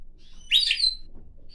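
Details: A pine grosbeak sings on a person's hand before flying onto their head, giving one brief, half-second warbled phrase of clear, high whistled notes over faint low room noise.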